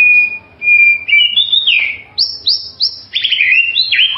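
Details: White-rumped shama song as bird-training audio: rich, clear whistles, a held high note, then slurred descending phrases and quick downward sweeps, with no other sounds behind.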